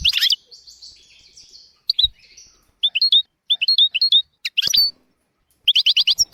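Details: European goldfinch tutor recording for teaching goldfinches and canaries: an opening chirp and a thin buzzy note, then short clipped tweets repeated in small groups, one sharp upward note, and a closing burst of rapid chirps.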